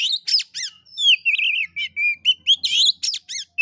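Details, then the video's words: Oriental magpie-robin, a kept songbird, in fighting-style song: loud sharp chevron notes and whistled slurs alternating with short buzzy runs, phrases separated by tiny gaps, clean background. "KACER NGEPLAY TARUNG|GAYA KURA KURA"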